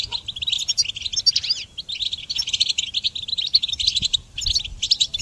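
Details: Songbird-training recording of goldfinch song: dense, sparkling twitters and buzzy trills delivered in long bursts, with one short pause near the middle and a few sharp high accents, over a quiet background.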